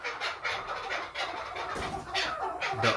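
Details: Captive chukar partridges, including older birds, give harsh, clucking chuck notes in rapid bursts about twice a second, calling each other to fight, while a man talks over them.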